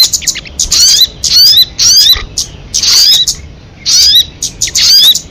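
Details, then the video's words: Sogon (crested jay) lure MP3: harsh, chattering rattles with high, sweeping whistled notes, delivered in bunched bursts about once per second with short gaps. "Suara MP3 burung sogon kamade"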